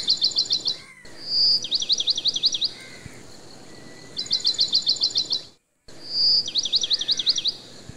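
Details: Baby tailorbirds from a nest in a garden: rapid bursts of sharp, very high chipping notes, each about a second long, repeated four times over a quiet background hum.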